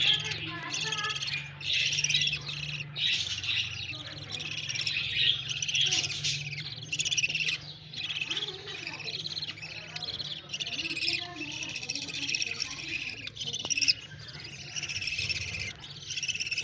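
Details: A group of breeding budgerigars chatters nonstop with rapid, scratchy warbles and high chirps, over a low mechanical hum.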